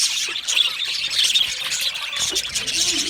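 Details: Budgie parrots calling, an unbroken, hissy blanket of high chirps and squeals from several birds at once, slightly louder in the first half.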